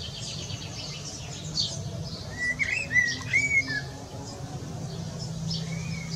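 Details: A Eurasian blackbird perched on a rooftop sings its evening song, one mellow, fluting warble of slurred notes over a second long, with a faint later note, possibly a distant answering bird, over a steady low hum.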